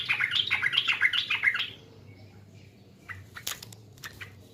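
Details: Sooty-headed bulbul from East Java delivers a lure song: a dense, chattering string of bubbly whistles for nearly two seconds, followed by quiet and a few sharp rustling knocks.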